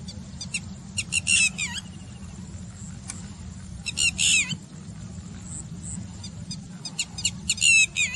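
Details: Alarm calls of a Red-wattled lapwing spotted by the Karimnagar Manair dam water, its "did-he-do-it" cry: shrill, strident notes in rapid runs, repeated in several bursts with brief gaps, over constant low-pitched background hum.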